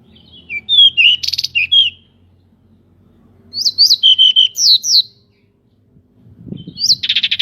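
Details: Pied bushchat, a local bird with wings spread, sings to goad other birds: bursts of high varied chirps and slurred whistles in phrases separated by pauses, ending in a rapid buzzy trill.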